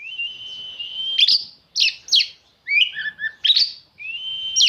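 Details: Oriental magpie-robin singing to agitate rival magpie-robins: a long steady high whistle, then sharp chipping notes and warbled twisting phrases, ending on another sustained whistle, in a quiet setting.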